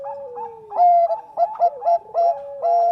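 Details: Bangkok-type zebra dove recorded as a lure song: overlapping hollow coos, one long tone sliding slowly downward beneath steady higher notes, broken by short rolling bursts repeated about every half second.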